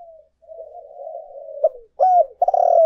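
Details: Spotted dove, urging and calling coos used as a lure: a long, soft, wavering coo, then sharp, loud, hoarse notes at the end.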